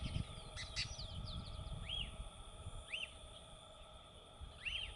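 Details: A wild lesser elaenia (Elaenia chiriquensis) sings short, arched, slightly burry notes about once every second or two, over a steady insect drone, low rumble and faint chirps from other birds.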